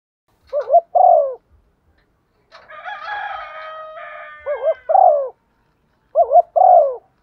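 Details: Female spotted dove giving calling coos for luring birds: three short wavering-then-falling coo pairs, with a rooster crowing loudly in the background between the first and second.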